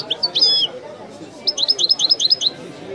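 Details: European goldfinch singing in the authentic Widani song style, recorded from a tape: bright, high twittering notes, an opening liquid slur, then a fast run of about ten short rising chips repeated several per second, with a faint low murmur underneath.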